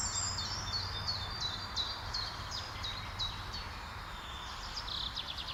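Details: Eurasian nuthatch recorded with a Sony A6000 camera and long telephoto lens, giving a series of about ten high, clear, downslurred whistled notes, roughly three a second, over a steady low hum and background noise.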